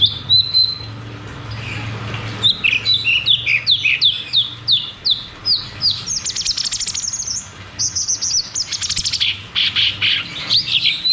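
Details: Cucak cungkok in rolling 'ngeroll tembak' song, used as therapy for caged birds that stopped singing: a long, steady chain of rapid whistled notes rising and falling, growing brighter and fuller near the end.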